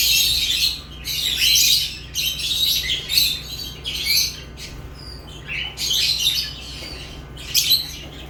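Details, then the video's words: Lovebirds produce loud, harsh squawking chatter in bursts about a second long, with quieter stretches and a few thin whistled notes midway; a low hum persists underneath. "Love birds chirping sounds"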